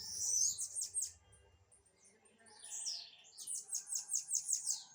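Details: Blue-black grassquit in a dispute: a quick cluster of high, sharp, buzzy notes, a short slurred phrase midway, then a steady series of about seven clipped chirps repeated rapidly.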